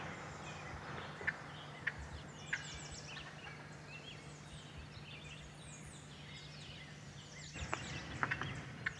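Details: Two wild turkeys (Meleagris gallopavo) by a roadside give sharp, single clucks at uneven intervals over a low steady hum, with high, quick chirps from small songbirds behind.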